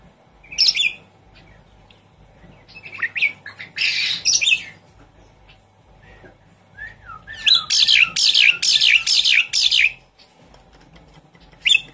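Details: Javan pied starling, caged, used as a lure to set a silent starling singing: loud harsh chattering bursts in irregular groups, then a run of about seven rapid raspy notes, with short pauses between phrases.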